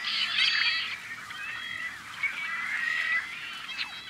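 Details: Tricolored blackbirds at an on-farm nesting colony in California's Central Valley, May 2012, giving harsh, nasal, drawn-out overlapping calls in a busy colony chorus over a faint low hum.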